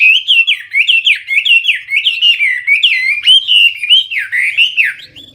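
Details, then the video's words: Hwamei (wambi) in full, loud, clear song: looping whistled phrases that swoop up and down, delivered in a steady, rolling stream of rich notes. "Hwamei/wambi gacor full isian suara keras jernih"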